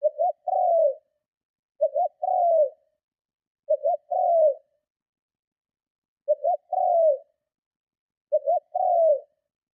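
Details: Spotted dove giving strong cooing meant to lure and provoke other doves: five three-part coos, two short low notes then a longer slurred descending coo, repeated about every two seconds over a silent background.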